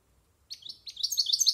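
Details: Goldfinch older than a year, rehearsing its varied silvestrismo song. Hesitant chirps open the phrase, then faster, bright slurred notes build in loudness.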